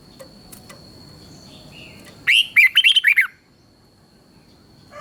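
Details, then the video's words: Thai red-whiskered bulbul song in southern master style, used to stir up other bulbuls and coach chicks. After quiet, a single lively phrase of about seven rapid, slurred whistles runs for a second, then silence returns. "เสียงนกกรงหัวจุก สำหรับต่อ หรือ เปิดให้นกคึก"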